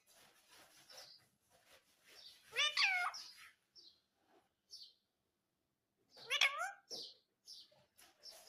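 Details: Indian ringneck parrot giving two bursts of wavering, harmonic speech-like syllables several seconds apart, with soft chirps and faint murmuring between them.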